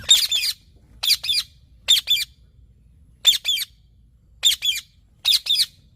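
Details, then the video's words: Six widely spaced bursts of raspy, high screeches from a green parrot, each burst made of two or three notes in quick succession. "Green Parrot Natural Sounds"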